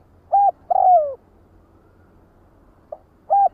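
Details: Spotted dove giving a flock-gathering call: a brief coo followed at once by a longer, slightly falling coo, then a long pause before a faint short note and one more clipped coo; steady low hum underneath.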